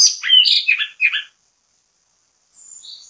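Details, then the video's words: Orange-headed thrush (anis kembang) bait song for triggering other birds: a quick burst of jumbled chirps and warbled notes, a pause, then a faint thin high whistled phrase. "ANIS KEMBANG GACOR MEMBUAT ANIS KEMBANG IKUT BUNYI, PANCINGAN ANIS KEMBANG"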